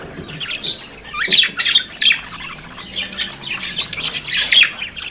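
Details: Budgerigar chattering with harsh, buzzy squawks and high scratchy warbles, louder bursts near one and a half and two seconds, then a softer continuous babble to the end.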